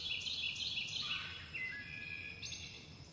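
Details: Chickadees in flight calling: a run of thin, high, descending whistled notes repeated rapidly, then a few longer level whistles, over a faint low rumble.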